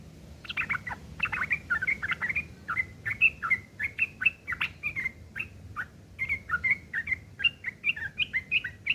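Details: Sooty-headed bulbul ngeriwik kasar, a rough chattering used as tutoring material for long-tailed shrikes: long continuous scratchy chatter of quick slurred notes, delivered in rhythmic clusters with brief gaps.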